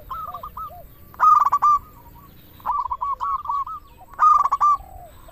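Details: Zebra dove, a local bird singing freely. Soft rolling coo phrases alternate with louder sharp staccato ones, four phrases in about five seconds, with two voices seeming to answer each other.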